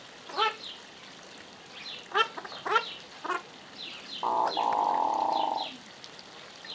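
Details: A hooded merganser in spring display gives a single low, rolling, frog-like croak lasting over a second, after several quick sweeping calls from other birds nearby.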